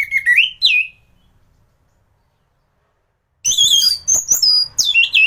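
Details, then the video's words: Orange-headed thrush singing, recorded as training material for other birds: rich rising and falling whistles, then a pause, then a burst of high mixed whistles and sharp notes. "Burung anis gacoran || masteran untuk burung anis"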